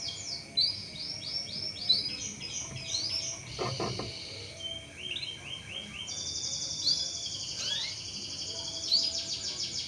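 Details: Canary song meant to encourage other canaries to sing: varied phrases of chirps, slurred notes and buzzy trills, broken by a brief low noise and short pauses.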